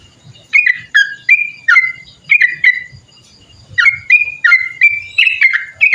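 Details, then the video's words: Clear whistled song of a Sooty-headed bulbul, the long rapid style used to tutor and lure other birds, with chirpy two-note slurs repeated about twice a second in two bursts split by a short gap. "TRUCUKAN ROPEL PANJANG COCOK BUAT MASTERAN//ISIAN PANCINGAN SUARA BURUNG TRUCUKAN SUPER GACOR"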